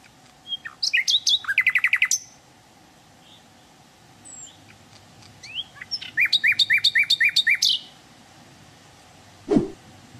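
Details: Wild sikatan londo flycatcher in natural surroundings gives phrases of rapid, evenly spaced sharp notes, rising chirps and thin whistles, with pauses between phrases. Steady low background hum and one loud knock near the end.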